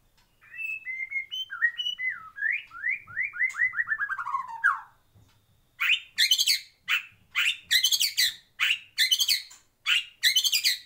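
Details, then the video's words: White-rumped shama in a breeding aviary singing a run of varied clear whistles that slide and fall, then switching to loud, harsh, rapidly repeated bursts of rich notes about twice a second. "Kicau Murai Batu"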